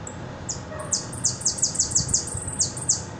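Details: Buenos Aires hooded siskin giving its repique song, a steady chain of very high, falling chip-notes, about three per second, with a brief soft lower note early on and low rumble beneath.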